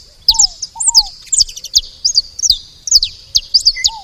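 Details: Saffron finches at a feeder: sharp, high chirps falling in pitch, given in quick bursts, with a lower slurred two-note whistle repeated now and then in the background.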